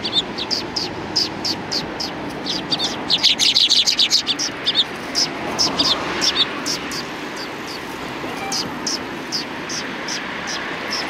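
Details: Flock of sparrows on a Tenmangu shrine approach, 6 December 2019, chattering steadily with rapid repeated high chirps, densest in the middle, amid low background rumble and faint traffic-like noise.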